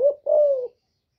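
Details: Female spotted dove calling to excite males, a kept bird: two low hooted coos near 600 per second, a short note then a longer level coo falling at the end, clean with no background.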